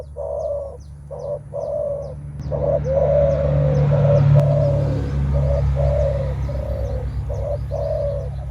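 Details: Spotted dove giving menguku coos when meeting a rival, a display of strength mostly by males; low throaty coos, clipped at first then longer and blurred, over a rising low rumble, with faint high ticks.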